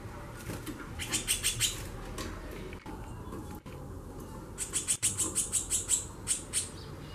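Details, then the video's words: Two bursts of quick, dry, repeated ticking notes from a female White-bellied Seedeater chattering heavily, each run lasting about a second and a half and separated by a pause with a few clicks and a low background hum. "FÊMEA DE CHORÃO XAXANDO MUITO"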